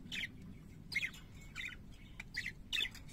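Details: Singing pet parakeets in harsh, squawky bursts, five raspy chattering notes spaced roughly half a second apart against a low constant hum.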